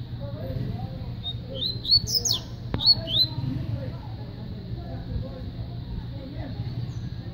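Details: Coleiro from Paraíba: one short burst of high, quick whistled notes, a few rising and falling slurs packed into about two seconds mid-clip, over a steady low hum and faint background sounds.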